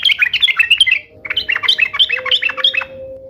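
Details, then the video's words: Sooty-headed bulbul in vigorous song: two fast, jumbled phrases of bubbly, chattering notes. A steady low tone is heard beneath the second phrase. "SUARA KESUKAAN TRUCUK ❗ trucukan gacor SATU INI ahlinya JADIKAN burung trucuk gacor NYAUT SEKETIKA"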